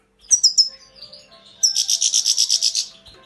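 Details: Grey-crowned goldfinch: three sharp high chirps, then a fast even trill of about twelve pulsed notes lasting over a second.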